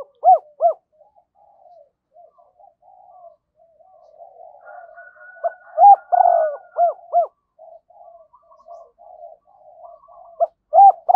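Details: Spotted dove kept as a decoy, calling to attract wild doves: paired loud hollow coos at the start, a long stretch of soft low murmuring, then a central burst of coos and more paired coos at the end.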